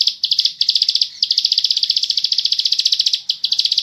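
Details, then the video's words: Bar-winged prinia, called ciblek sawah, singing vigorously in the ngebren style for a tutor recording: a long, rapid stream of high, buzzy pulsed notes with two short pauses. "burung ciblek sawah ngebren gacor"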